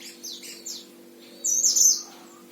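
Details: Oriental white-eye kept in a cage in Sragen, Central Java, Indonesia: a few soft high chirps, then a brief loud run of thin, rapid twittering over a low steady hum.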